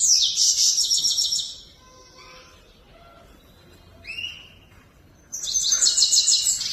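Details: Song of a grey-crowned goldfinch: a loud buzzy rattling trill, a quiet gap with a single rising whistled note, then the high buzzy trill returns.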